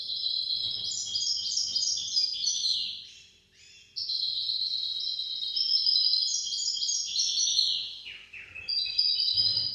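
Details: Goldfinch-canary hybrid singing a song used for teaching goldfinches and canaries to sing: continuous high warbled phrases of rapid twittering notes, a brief pause near the middle, then more trilled and buzzy runs, with faint low background hum.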